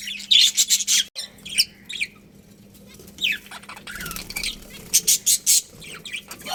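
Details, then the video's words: Budgerigar colony: a fast run of sharp high chirps, then sparse squeaky notes and slurred whistles, ending in another quick series of bright chirps; faint hum below. "Cute Budgies Chirping Sounds"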